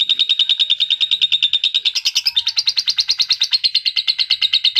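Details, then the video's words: An adult lovebird's shrill, rapid chattering song, a steady, continuous string of high, harsh chips at about three per second, used as a stimulating lure recording for adult lovebirds. "PERANGSANG PANCINGAN LOVEBIRD DEWASA"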